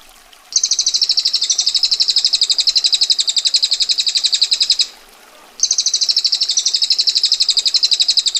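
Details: Female bar-winged prinia in a tutor recording, giving the tight, sharp, rough 'ngetir' rattle: two long dry trills of rapid pulses, about four per second, lasting several seconds each, separated by a short pause.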